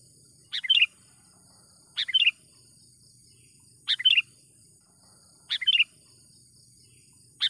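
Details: Brief chirpy bursts from a lively sooty-headed bulbul, a lure for catching wild birds: five short multi-note phrases separated by pauses of one to two seconds, with a persistent high insect drone.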